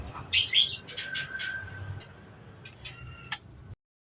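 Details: White-rumped shama giving a short burst of bright high chirps, then a few scattered sharp notes and a thin steady whistle held for about a second, over a low background hum.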